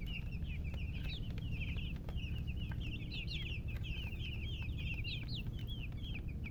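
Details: Newborn chicken chicks chirping loudly, a rapid run of high bending peeps, some looping up then down, closely packed from a group of chicks, steady low hum beneath with faint taps.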